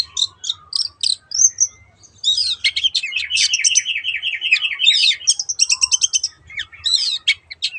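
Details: Long-tailed shrike, cendet, 'teot teot' song used as a singing lure: high chips open, then a long rolling buzzy trill for about two seconds, followed by quick chattering notes.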